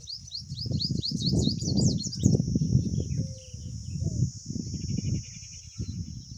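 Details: Pipit mother feeding her babies in the nest after one fell out: brisk, high, upswept chirps repeated quickly for just over two seconds, then only heavy low rumbling noise and a steady high-pitched hiss.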